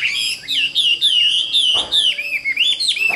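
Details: Tame caged Chinese hwamei in Vietnam pours out loud, continuous whistled song, with rich warbling notes rising and dipping without pause, punctuated by a couple of brief clacks.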